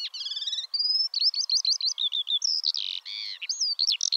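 Eurasian skylark pouring out a fast, unbroken stream of high, varied notes: quick trills, chirps, slurred whistles and buzzy phrases tumbling one after another.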